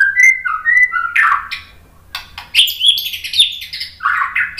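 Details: White-rumped shama song used as a lure to make other birds answer: sweet slurred whistles near two kilometres high, then harsh buzzy bursts and a rising, scratchy warbled run, loud and varied throughout.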